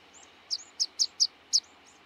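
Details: Rock pipit, a coastal and outer-island species, uttering five quick thin high chips in about one second, each sharp and slightly downslurred, over soft background hiss.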